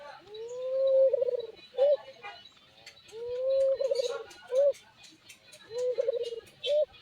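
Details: An albino Barbary dove (Streptopelia risoria), described by its owner as having an unusual, unique voice, repeats a mellow, rising, rolling coo with a short clipped note after it, about every two and a half seconds, over faint background hiss.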